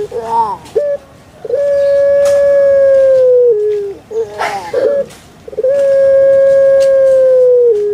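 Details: Puter pelung dove kept as a pet calling twice: each phrase opens with quick wavering notes and a brief clipped note, then swells into a long, level, ringing coo that dips lower as it ends.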